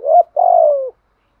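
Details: Spotted dove calling in a style meant to make other doves answer: a short mellow coo, a tiny pause, then a drawn-out tremulous coo that falls slightly in pitch before stopping, with clean silence afterward.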